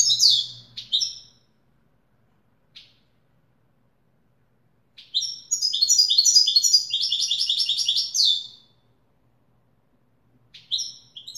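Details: European goldfinch in authentic Wedani style: short twittering fragments and isolated chips, then a sustained three-second flurry of rapid tinkling notes, followed by a further brief phrase.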